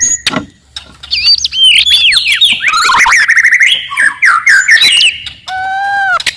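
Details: Loud, aggressive song of a forest white-rumped shama meant to anger an opponent: a fast, continuous run of sweeping whistles and rattling trills, ending in three clean descending whistled slurs.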